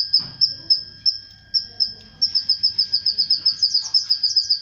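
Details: High canary song linked to mating with its female: scattered single chirps at first, then a quickening series of bright pulsed trill notes, about four per second.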